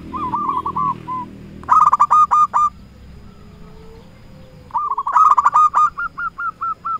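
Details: Lure song of a local zebra dove challenging rivals: short rolling bursts of mellow ringing notes, a brief lull, then further bursts ending in separate, evenly spaced notes; faint low murmur underneath.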